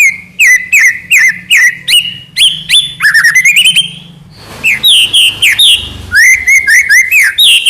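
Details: White-rumped shama in energetic trotol song: rapid repeated notes, each a short whistle sliding upward, delivered in quick runs about every third of a second, with a brief quieter pause mid-phrase before the sharp slurred notes resume.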